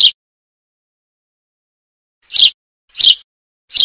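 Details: A Eurasian tree sparrow chick calling for its mother gives harsh, buzzy chirps, four short bursts in under four seconds, with silence between them.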